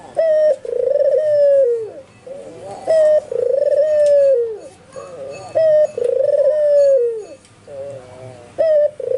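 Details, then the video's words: Vigorous calling of an albino white Barbary dove, with spotted doves and zebra doves around it reportedly answering; brief sharp note plus a long tremulous descending coo, repeated steadily about every three seconds indoors. "SUARA BURUNG PUTER PUTIH ALBINO FULL GACOR - Sekali bunyi tekukur perkutut disekitarnya ikut nyaut"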